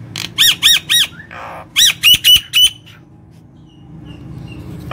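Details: Vigorously singing Nias hill myna, recorded to lure and excite other birds: three loud harsh arching notes, a nasal buzz, then four ringing whistles, followed by near silence and faint distant calls.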